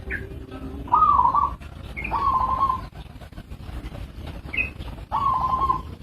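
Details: Local zebra dove repeating its call: each phrase opens with a short higher note, then a rapid trilled coo at a steady pitch, three phrases about two seconds apart, low rumbling noise beneath.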